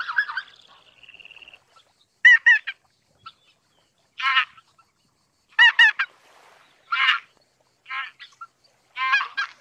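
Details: Greater white-fronted goose calls heard as scattered, loud, squeaky yelps, mostly in double or triple notes, separated by long silences. A short, buzzy, rattling sound appears near the start.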